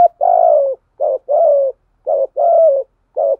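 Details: Cooing spotted dove with a thổ voice, calling to stir a decoy: alternating short and long husky coos, roughly one per second, slightly falling pitch, no background sounds.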